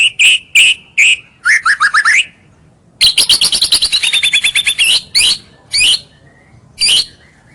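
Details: Varied song of a white-rumped shama played as a lure to bring rival birds near: clear high whistles, a quick descending run, then a long fast series of sharp repeated notes and scattered bright chips.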